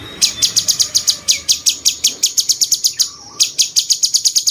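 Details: Cucak cungkok bulbul, whose cucak-jenggot-style chatter serves as a master for contest birds, delivers two long trains of rapid, clipped, high-pitched chips with a short break between, over faint low background noise.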